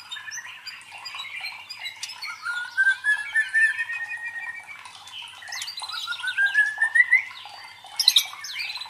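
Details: Murai batu, or white-rumped shama, lure song for training contest birds' fighting spirit: quiet chatter gives way to two long rising whistled glides, ending in a brief loud harsh burst.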